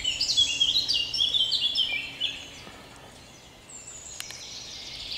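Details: A Common chaffinch sings in a forest on 30 May 2021, two wild boars nearby, with a bright, rattling cascade of notes that tumbles down the scale to a flourish.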